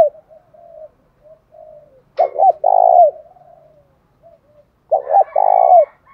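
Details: Spotted dove lure calls, male and female together, used to provoke fighting and pull in wild birds: quiet low cooing notes broken by two loud phrases, each a short stutter followed by a long rich coo.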